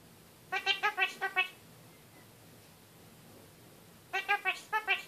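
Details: A male pet kakariki in his cage talks in two quick bursts of five or six nasal, speech-like syllables, with about three seconds between them, in a quiet room.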